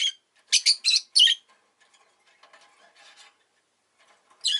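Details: Lovebird sounding a rapid run of three or four loud, shrill chirps in about a second, followed by quiet rustling chatter, then another sharp screech at the close.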